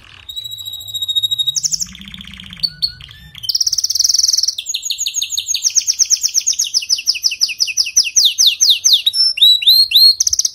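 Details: Canary song for stimulating a bird that sings poorly: a steady high whistle, short rolls, a dense bright trill, then a long series of quick repeated sweeping notes speeding up and ending in rising whistles.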